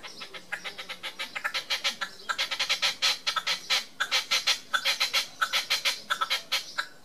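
Red-legged partridge giving a fast, rhythmic series of harsh chuffing notes, several each second, in uneven bursts over a faint low background hum.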